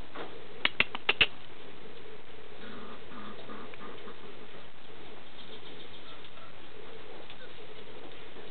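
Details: Displaying male Spruce Grouse in Canada: four sharp wing claps in quick succession within about half a second, followed by quiet low rustling.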